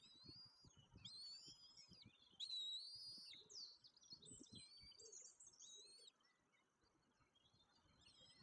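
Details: Two fast-growing young white-tailed eagles at feeding time at their nest at Woziwoda, 9 May 2024, fed by a parent. High, thin whistled calls with bright overtones slur up and down, some long, some clipped. Faint rustling sits underneath.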